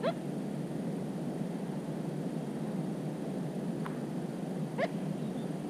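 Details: Among cattails on 13 July 2017, a Little crake utters short rising nasal calls: one at the start and another near the end, with a faint click between, over a steady low background drone.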